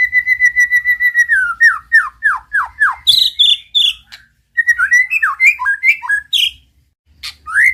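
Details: Master song of a white-rumped shama, played to stir a silent bird to sing: a fast series of even whistled notes, then falling slurred whistles and varied high phrases with brief gaps.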